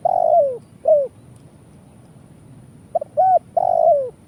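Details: Trapping lure call of an Indonesian spotted dove (tekukur): the end of one phrase with a long falling coo and a short coo, a pause, then a full new phrase of quick notes and drawn coos.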